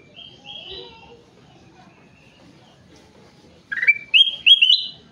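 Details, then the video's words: Kutilang emas, the ruby-throated bulbul, singing gacor: faint distant whistles at first, then a loud burst of three rising, stepped whistled notes climbing in pitch, over a low hum. "Burung kutilang emas gacor"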